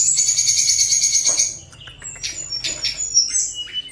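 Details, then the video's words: Tledekan gunung singing, played to draw out birds that sing little: a dense high trill lasting over a second, followed by scattered sharp chips and short whistles. "Tledekan Gunung Gacor Nyuling-nyuling Sangat Ampuh Untuk Pancingan Tledekan Yang Malas bunyi."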